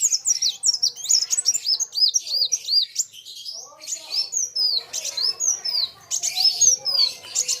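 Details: Kolibri wulung sunbird meeting a rival singer: looping high arched whistles in quick succession, then scratchier chirps and trills from two birds, with soft lower background sounds between phrases.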